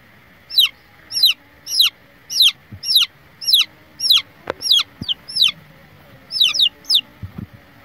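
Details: Domestic hen chicks calling with a steady run of shrill, downward-sliding peeps, roughly two per second, some doubled, over a faint hum and a few sharp clicks.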